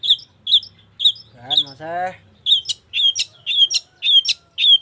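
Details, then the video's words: Long-tailed shrike in vigorous song: repeated sharp squeaky notes about twice a second, broken briefly by a lower harmonic, voice-like nasal sound, then the notes resume with added high clicks. "Burung cendet gacor"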